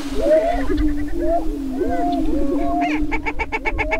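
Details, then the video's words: Greater prairie-chickens at a spring mating-dance lek near Crookston, Minnesota, April 27, 2013: low steady booming with curling whoops, ending in a fast series of about ten sharp clucking cackle pulses. "Dancing With The Prairie Chickens"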